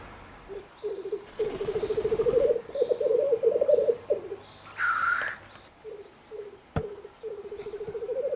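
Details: Male black grouse displaying at a spring lek in the Bavarian Forest, Germany: long runs of low, rapid bubbling cooing, with a harsh hissing sneeze twice mid-phrase, then further short bubbling bursts.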